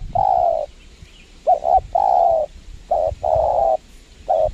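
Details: Spotted dove cooing steadily during lure trapping on a windy spot: a long coo, then double stuttered notes each leading into an extended warm, slightly descending coo, repeated quickly over light background hiss.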